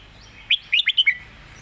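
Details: Red-whiskered bulbul singing a 'master song' phrase of five loud, liquid whistled notes: one lead note, then four quick bouncing ones. Gentle chirping from other birds sits behind.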